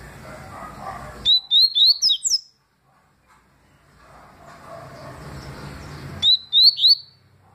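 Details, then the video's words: Yellow-bellied seedeater (papa-capim) singing the tui song style, recorded in 2020: two bursts of quick, sharp, rising whistled notes about five seconds apart, over a low background rumble. "Papa capim tui detonado em 2020"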